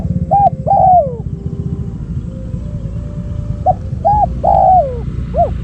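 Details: Spotted dove decoy luring wild doves. Two coo phrases, each short notes leading into a longer descending coo, several seconds apart, with faint low rumble between.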